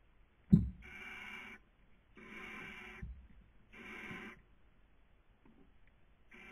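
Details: Barn owl on a nest webcam in Cabañeros National Park, Castilla-La Mancha, Spain, during the 2020 breeding season; harsh, breathy hisses about a second long, repeated roughly every one and a half seconds, after one brief low thump.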